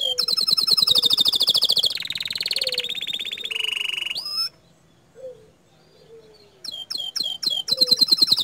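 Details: Canary in full 'gacor dor' song: rapid high trills shift into a buzzy rattling passage and a steady whistled trill, break off into near silence, then resume with sharp swooping notes and another fast trill.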